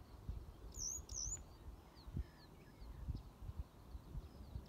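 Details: Eurasian skylarks calling in alarm among grain fields, heard but not seen: two thin, very high, sharp alarm notes in quick succession, then fainter high slurred calls, over steady wind rumble.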